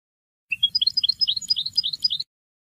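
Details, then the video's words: European goldfinch song played to teach young goldfinches and a mule, 2020: a two-second burst of quick, liquid, bouncing twitters rising and falling in pitch. "Ecolage Chardonneret Melodieux // Goldfinch Song to teach young people // أغنية الحسون لتعليم الشباب"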